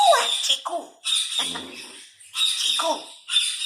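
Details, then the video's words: Grey parrot named Cherry says fruit names (cherry, grapes, angoor, anar, saib) in four short speech-like bursts about a second apart, gliding voice-like tones over a steady bright hiss; talking grey parrot. "Talking grey parrot"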